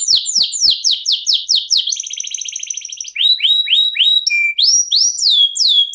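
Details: Domestic canary singing 'ngerol', a long rolling song valued for competition tutoring: fast series of downslurred whistles, a dense buzzy trill, then rising upswept notes and a brief steady whistle before more sweeps.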